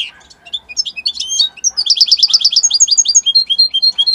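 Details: A goldfinch of Italian stock sings a strong, pretty song: sweet high chirps speed into a rattling series of repeated twittering notes, then slower clear tweets at the close.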